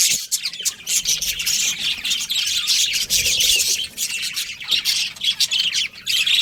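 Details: Continuous budgerigar chirping fills the recording, a busy, buzzy warble of overlapping high squeaks and clicks that dips briefly now and then.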